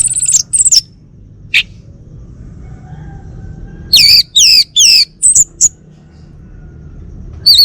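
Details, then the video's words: Home-kept male orange-headed thrush, Bali form, delivering high squeaky notes, a long quiet gap, then a run of loud, wavy descending whistles repeated about every half second. "Kicau Burung ANIS MERAH Bali Jantan"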